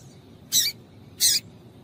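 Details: Two brief, piercing high chirps from a female double-collared seedeater, spaced under a second apart, a call meant to excite the male and make him sing; soft low hum underneath.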